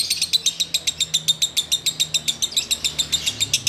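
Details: Sooty-headed bulbul ngekek song, heard while waiting to break the fast: strongly rhythmic, evenly spaced high chattering notes, about four each second, with a clear, regular beat.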